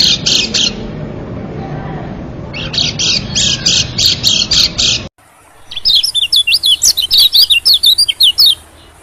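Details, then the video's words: Lure call of white-eyes, used to draw in small birds: rapid clipped high chirps in short bursts, a pause, then a cleaner run of quick sharp zigzag twitters after a sudden cut. "suara PIKAT PLECI #bagus untuk pikat burung2 keci #terutama burung KECIAL/PLECI"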